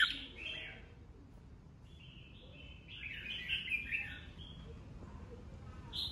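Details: Red-whiskered bulbul, an old wild-caught bird, singing competitively in the bọng style: distant rippling warbled phrases in the middle of the recording, faint and partly buried under constant low background noise.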